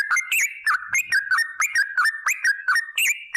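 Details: Yellow-vented bulbul lure song: loud, gurgling whistled notes that swoop up and drop, mixed with sharp clicks, repeated rapidly in a lively, uneven chatter.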